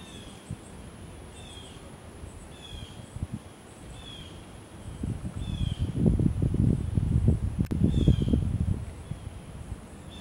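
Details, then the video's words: Blue jay calling at Joseph Tribble Park in Savannah, Georgia: a faint series of about eight short, thin, downslurred notes repeated roughly every one to one and a half seconds over steady low rumbling noise that swells midway. "bluejay calls"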